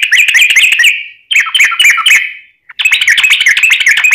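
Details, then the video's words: Trucukan (yellow-vented bulbul) singing energetically as a lure for other bulbuls: dense rapid chattering trills, two bursts separated by a brief gap, then a third fast run. "trucukan gacor ROPEL PANJANG"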